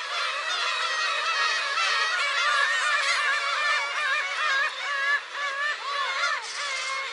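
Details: Black-tailed gulls at a shrine on 10 July 2015: wavering, cat-like mewing cries rise and fall over a chorus of other gulls, with several distinct calls standing out toward the end.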